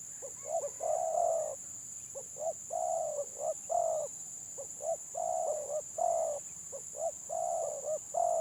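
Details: Village spotted dove of the stuttering type competing in song: a run of repeated phrases, each two or three quick clipped coos leading into a sustained purring note, under a persistent high whine.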